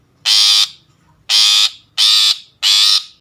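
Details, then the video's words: Long-tailed shrike lure sound used for trapping birds: loud harsh rasping screeches, four in about three seconds, each lasting under half a second. "suara pikat burung pentet"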